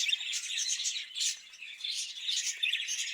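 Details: Budgerigars kept in a breeding cage, a group chattering nonstop in bright, fast, scratchy twitters and chirps that swell and dip in loudness.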